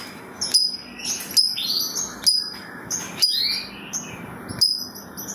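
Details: Lovebird used as a lure to make other lovebirds sing, giving a long chattering 'ngekek' song with a 'ngetik' ticking style: sharp high chips and shrill rising squeaks repeated about every second, over a faint background hiss.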